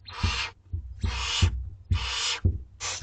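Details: Barn owl chicks aged two weeks, fed at dinner time in a school garden: loud rasping hisses about half a second long, repeated four times in three seconds over a low background hum.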